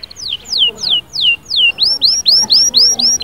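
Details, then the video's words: Canary singing to rouse a quiet bird: five clear downslurred whistles in a slow series, followed by a run of upward-arching whistled notes, loud and ringing. "اياك وتقول عصفوري الكناري ساكت أدخل عليه البهجة بالمقطع الاكثر تحفيز نار نارcanary"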